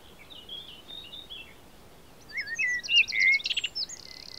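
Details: Common blackbird (Turdus merula) singing at Audierne Bay, Finistère, Brittany, France, late April–early May 2022: fainter soft phrases, then a mellow fluted warble ending in a squeaky high twitter, with quiet outdoor hiss.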